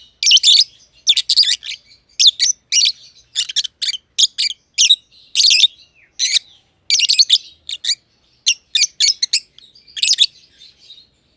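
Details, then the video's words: Caged lovebirds, a young green personata and an older green pied personata, chirping in an aviary: loud grating high chirps in paired and grouped bursts, repeated about every second. "Lovebird Chirping Sounds - Green Personata & Green Pied Personata"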